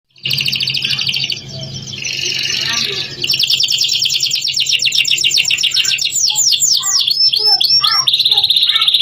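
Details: Canary song in the lively 'gacor' style, used as a 'pancingan' to stimulate other canaries to sing: dense high trills and rapid rolling phrases, then a run of fast repeated chip notes and a steady buzzy trill. A low hum runs underneath.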